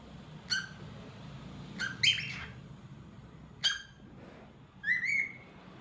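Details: Cute pet cockatiel indoors making short chirps and harmonic whistled calls, several brief notes scattered about once a second, the last one a slurred rising-falling whistle, with steady low background hum.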